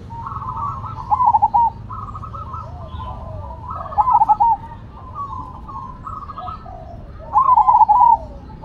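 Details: Cemani and Silver zebra doves (perkutut) in lively song against each other: soft mellow cooing with three clear rolling, stuttered phrases roughly three seconds apart, quieter cooing between, low background hum.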